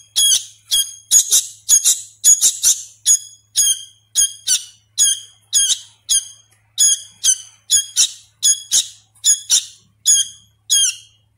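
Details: Young sooty-headed bulbul chick being hand-fed and still learning its voice, giving loud harsh high squeaky begging notes, often doubled, repeated roughly every half second in a quiet room with a faint low hum.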